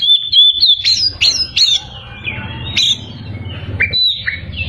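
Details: Singing Oriental magpie-robin sets off rivals with bursts of sharp rising whistles, then a short pause and a few slurred notes. A faint low rumble runs underneath.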